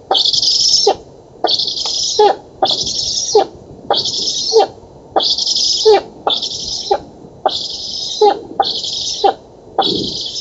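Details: Black stork nestlings at a nest in an oak in Poland, 11 August 2017, during feeding: about nine harsh, breathy hissing calls in ten seconds, each roughly half a second long, with sharp clicks at its start and end.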